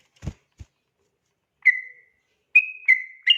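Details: Sooty-headed bulbul singing at night, a tutor recording for training birds: a few clear whistled notes around the same pitch, the first drawn out and falling, then three quick ones, after two soft low thumps.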